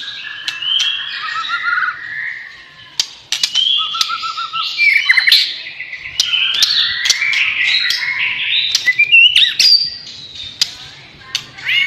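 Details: White-rumped shama, a Borneo-type variety, singing a varied, rich song of whistles, slurred phrases and sharp clicks, with rapid changes in pitch and a few brief pauses between bursts.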